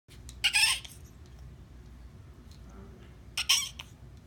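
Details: A male pet macaw makes strange dolphin-like noises: two sharp, squeaky bursts with thin whistled overtones, like a dolphin's chatter.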